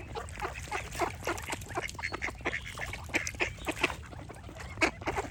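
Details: Group of ducks quacking loudly and rapidly, harsh repeated calls from several birds at once.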